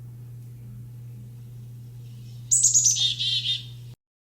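A Black-capped Chickadee gives its chick-a-dee-dee call: high, quick opening notes, then a few buzzy, lower dee notes, over a steady low electrical hum.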